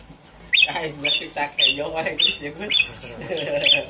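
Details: Javan pied starling recording used as a lure to get starlings that have stopped singing to call: harsh, squawky bursts roughly every half second to second, mixed with lower chattering and throaty notes.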